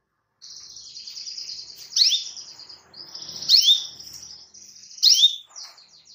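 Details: Canary calling a rival: a sustained buzzy trill around high pitch broken every second and a half by loud sharp downward-sweeping chirps, three such accents in sequence.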